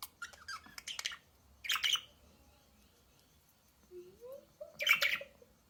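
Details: Budgerigars chorusing: rapid clicky twitters open the stretch, followed by two harsh chattering bursts and a soft rising whistled note in between.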